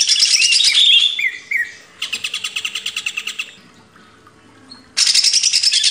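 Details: Greater green leafbird song used to train cage birds: a loud, high jumble of notes, then a rhythmic series of about a dozen quick repeated chips, a pause, and another dense burst.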